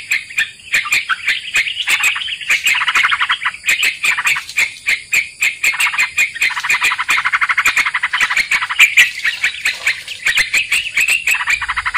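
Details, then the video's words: Sooty-headed bulbul (trucukan) played to lure birds into a trap: long, busy stream of harsh chattering and clicking notes, dense and buzzy in the middle, thinning toward the end. "Pikat trucukan langsung nyangkut"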